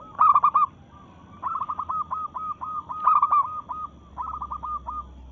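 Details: Rival-challenging song of a local zebra dove in breeding mood: a loud burst of rapid coos, then long chains of quick rolling notes, with fainter answering coos between.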